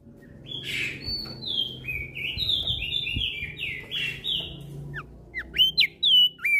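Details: Javan grey-throated white-eye singing loudly in the ngeplong style, answering other birds: a run of clear whistled notes stepping between mid and high pitch, followed by several sharp, higher sweeping whistles near the end, with low background rumble.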